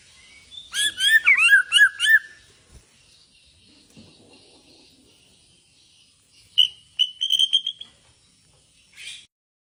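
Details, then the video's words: Borneo white-rumped shama in bowing style delivers a fast burst of tumbling whistled and chattering notes, falls quiet for several seconds with faint background hiss, then resumes with a short run of clear ringing syllables and a final brief note. "Murai Borneo gaya sujud"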